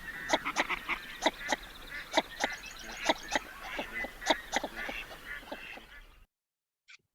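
Male Northern Shoveler giving hollow, knocking 'took-took' notes in quick, uneven bursts over about six seconds, with faint background bird chatter.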